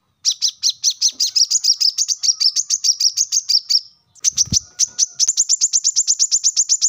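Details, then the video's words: A plain-throated (brown-throated) sunbird gives fast, high, sharp chipping notes, about seven a second, in two long runs separated by a short pause; a soft thump sounds once. "kolibri kelapa | wiceh | manggar | cuitan korlap gacor"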